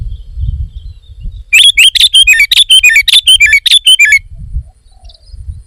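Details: Sooty-headed bulbul in lively voice, pouring out a fast, steady string of about twelve looping whistled notes over two and a half seconds, then falling silent, with faint low rumble.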